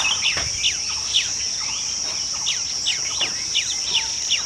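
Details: Chestnut-tailed starling calling: a series of short, sharp descending chirps repeated about twice a second, over a steady high insect-like hiss.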